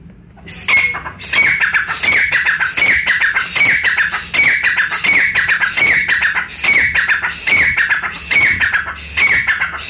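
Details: Brown francolin (bhura teetar) from Pakistan, recorded for hunters: harsh, shrill, squawking phrases repeated roughly every second in a steady loud series. Each phrase has a bright, clipped ending, and there are no other clear sounds.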